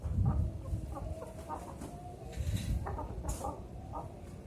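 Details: Cooing of a young zebra dove, four to five months old, trained to sing from a raised pole in mid-morning. Short, soft notes come in quick clusters against a rumbling, noisy background.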